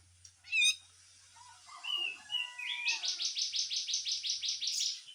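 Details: Grey-cheeked bulbul, harsh full song: one sharp rising squeak, several soft slurred whistles, then a fast, even series of about fifteen buzzy, rasping notes over a faint low hum.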